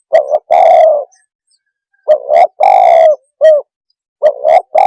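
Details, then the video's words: Repeated coo phrases from a spotted dove, or tekukur, a sound used to excite other birds: short double notes leading into a long rough coo, three times, with an extra short note after the second. "Suara kicau Burung TEKUKUR cepat membuat Emosi burung - TEKUKUR鸟的声音"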